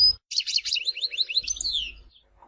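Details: European goldfinch from Tizi Ouzou, Algeria, singing a continuous run of quick tinkling notes followed by rolling, descending slurred phrases over about two seconds.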